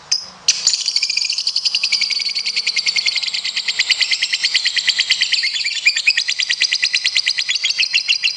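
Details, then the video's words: Lovebird competition-style long trill: a continuous high, rapid, pulsing chatter sustained for about eight seconds with a steady rhythm. "Masteran Loveberd Ngekek panjang"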